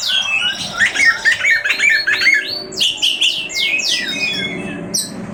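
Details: Oriental magpie-robin (kacer) delivering a rich song of chattering, warbled notes followed by a rapid series of high, sharply falling whistles, repeated more than twice a second, over a faint hum.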